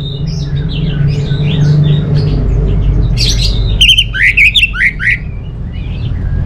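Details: Orange-headed thrush, a kept songbird from Singaraja in North Bali, sings soft scattered whistles at first, then a loud burst of clipped, downward-sliding whistled notes in the second half, over a low background hum.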